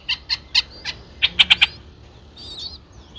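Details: Nine-day-old Streak-eared Bulbul nestlings recorded on 11 April 2023 in Ubon Ratchathani, Thailand: about seven short, rough chirps in quick succession, followed by a soft, wavering whistled note.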